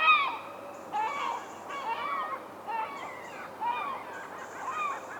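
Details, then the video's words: Herring gull (Larus argentatus) recorded in the wild giving laughing calls: a series of nasal, harmonic yelping notes, each briefly rising then falling, repeated roughly once a second, with faint high-pitched hiss in the background. "Herring Gull Sound – Song & Bird Calls"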